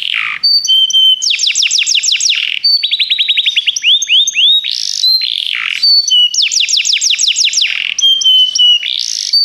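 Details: Canary singing for song training, a loud varied song mixing rapid trills of falling sweeps, steady high whistled notes and harsh buzzy bursts.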